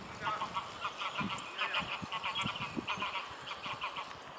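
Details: Geese fleeing from a dog at the Neuer Teich pond on the morning of 27 March 2016, giving a busy chorus of nasal honks repeated over and over, several birds overlapping, with splashing and rustling beneath.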